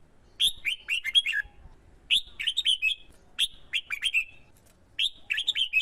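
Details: Decoy male red-whiskered bulbul in a cage, urged on by a female, sings in contest to attract wild birds: rapid, repeated phrases of bubbly whistled notes, about four phrases in quick succession with barely a pause.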